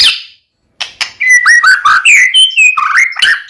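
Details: Lure song of a White-rumped shama meant to make another shama answer and sing; after a short pause, a fast run of sliding whistles and sharp clicks, rich and varied, delivered without break.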